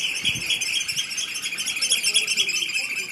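Eurasian oystercatchers give a dense, shrill chorus of high piping notes, overlapping and irregular, with a faint low rumble underneath.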